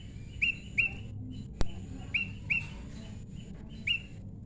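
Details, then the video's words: Prinia, tame and naturally paired, repeating crisp upward-flicked chirps in pairs and singles with uneven gaps, six in all. A single sharp click sounds midway, over a soft low hum. "prenjak lumut jodohan alam"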